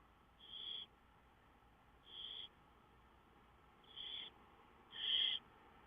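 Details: Songbird in the wild, dated 5-9-2013, repeating a short, steady, high whistled note four times in about six seconds, the last note loudest, with faint background hiss between notes.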